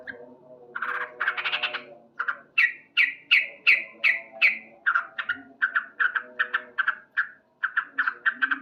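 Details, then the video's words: A male sooty-headed bulbul sings loudly in the morning, opening with rough chatter, then a steady run of sharp, repeated cuk-cuk notes, roughly three each second. "Terapi Burung Trucuk Gacor"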